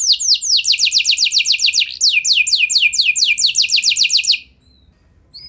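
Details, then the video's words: F1 canary singing as a lure to prompt other canaries to sing: fast rolling trills of downward-sweeping notes, about four per second, then a change to tighter, quicker notes before a sudden stop near the end. "Bakal Langsung Nyaut Gacor Do00r Kenari Mana Saja Dengan Pancingan Kenari F1 Ini"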